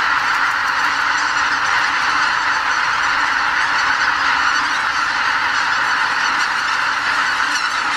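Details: Pre-dawn roost departure of some 80,000 greater white-fronted geese at Miyajimanuma wetland, Hokkaido, on spring migration: a continuous roar of overlapping goose honks, with individual calls lost in the flock.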